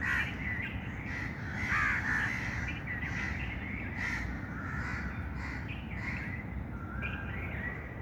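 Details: Continuous chorus of chirping birds, with wavering mid-pitched calls overlapping without pause and occasional louder harsh notes, over a constant low rumble.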